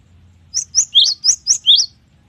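A cinereous tit sings a quick series of six high, clear whistled notes, about four per second, with some notes pitched slightly lower. A faint low hum sits underneath.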